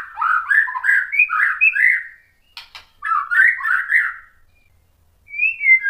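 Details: White-rumped shama singing to provoke other shamas, fast rich warbling phrases in two bursts with a few sharp clicks between, and a short whistled ending.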